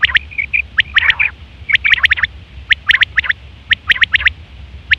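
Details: Female quail (batair), a lure recording for trapping: dense clusters of crisp ticking chirps in quick twos and threes, a few short thin notes early on, low hum beneath.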